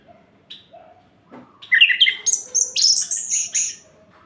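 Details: Orange-headed thrush at night, singing to provoke other birds of its kind into breeding form. After a few soft notes comes a burst of shrill, high, rapid twittering phrases repeated for about two seconds.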